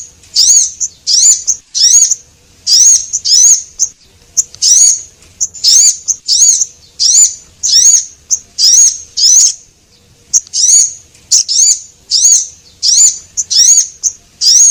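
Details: Lure call from Javan munia, female and male, used to bring small birds in: a long, unbroken series of thin, high, squeaky notes, closely spaced, roughly two per second, with occasional short chips, clean background.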